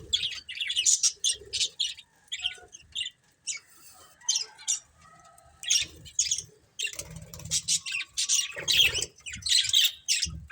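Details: Budgerigars kept as pets give short, clipped chirps and squawky warbles in separate bursts with quiet gaps, a softer, more scattered chatter with occasional low rustling.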